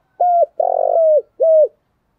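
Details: Spotted dove cooing in the morning in the thick thổ voice style, played as a lure to make caged doves call back: three low coos, the middle one longer and burred, ending on a short clean note.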